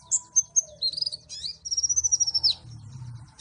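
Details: Malang white-eye delivering high whistled slurs, then a fast trilling stretch of evenly spaced bright notes lasting about a second, over a soft low rumble.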